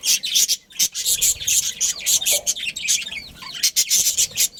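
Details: In a breeding colony of pet budgerigars, loud, bright chirping and chattering fills the air, rapid scratchy notes and quick whistled slurs packed tightly with only brief pauses.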